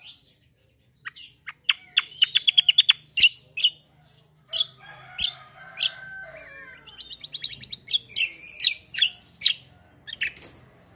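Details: Black-winged myna giving a fighting-style rolling song: rapid harsh rasping bursts mixed with fast whistled trills and chattering runs. The song is nearly continuous over eleven seconds with few pauses.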